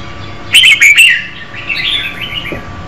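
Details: Female red-whiskered bulbul singing to stimulate a male: a few loud, bright chirps, then softer, warbling, twittering notes over a faint steady background hum.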